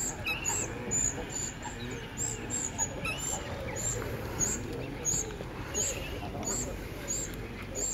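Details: Juvenile common cuckoo being fed by reed warblers at Slimbridge Wetland Centre, England, on 23 July 2011; thin high squeaky notes repeated about every second over a steady hiss and low rumbling background.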